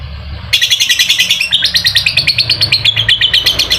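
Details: Lovebird giving ngekek song as a lure to get a quiet lovebird singing: after a brief pause, a fast, steady run of high, sharp rattling kek notes, about eight a second, continuing to the end over a faint low hum.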